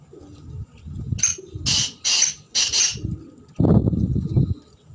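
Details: A black francolin gives a phrase of three to four rough, scratchy notes, followed by a burst of low rumbling noise.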